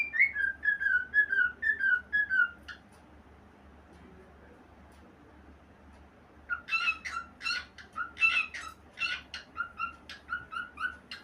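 A cockatiel sings a string of bright, warbling whistles, pauses, then resumes with sharper chirps.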